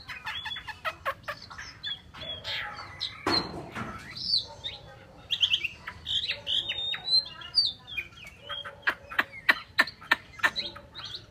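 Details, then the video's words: Chinese hwamei kept as a cage bird, with whistled and slurred phrases interrupted by many sharp clicks and taps. "chim họa mi"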